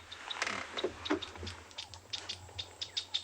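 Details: Chinspot batises at Ngala Private Game Reserve, South Africa, on an afternoon in May 2020, agitated, possibly a territorial dispute or a snake (a leopard judged unlikely), make sharp, dry wing snaps and flutters with thin high chirps and a faint engine hum.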